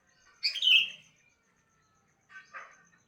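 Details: Sooty-headed bulbul singing in the morning: a bright warbled phrase, a pause, then a shorter two-part chirping phrase in a quiet setting.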